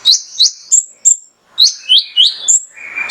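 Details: Mangrove whistler, a male, used as training and lure song for other birds: ringing upswept whistles, some sliding into long level tones, with a brief pause and a soft noisy rasp at the end.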